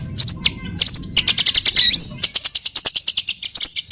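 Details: Trapping lure call of a sunbird: a jumble of sharp, very high chirps and short whistles, becoming a rapid stream of clicking, twittering notes, with a low rumble at the start.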